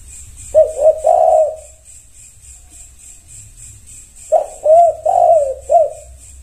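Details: Spotted dove (tekukur) singing in response to other doves: two phrases of three or four low, hollow coos, the middle note rising and falling, about four seconds apart, over a steady high pulsing whine and faint low rumble.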